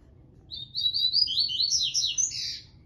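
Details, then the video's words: A yellow-breasted double-collared seedeater sings in the "Tui Tui" style: a fast, high, twittering phrase of slurred whistled notes, starting steady and then breaking into quick rising and falling chirps for about two seconds, over faint low hum. "Papa Capim do peito amarelo Tui Tui"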